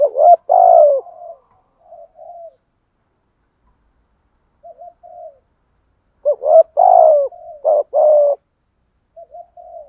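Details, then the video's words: A spotted dove used as a decoy coos in a structured pattern. Loud throaty double coos alternate with soft, clipped trailing notes, with long silent gaps between phrases and a clean background. "thúc gù chim cu gáy mồi bài bản"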